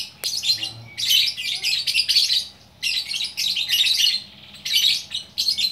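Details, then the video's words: Bukittinggi lovebird in West Sumatra delivering 'gacor orkestra' song: long runs of dense, shrill twittering and squeaky chirps in several phrases, with one brief gap near the middle. "Burung Lovebird Gacor Orkestra"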